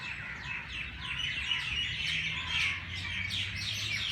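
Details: Many birds chirping early in the morning at Race Course Jilani Park, Lahore: dense, overlapping high twitters and short tweets run without pause over a faint low rumble.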